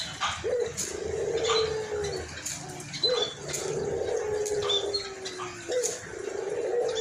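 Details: Hoarse-voiced white collared dove, albino, cooing busily: three long, low, level coos, each starting with a quick upward flick, spaced a couple of seconds apart, with faint chirping of other birds behind.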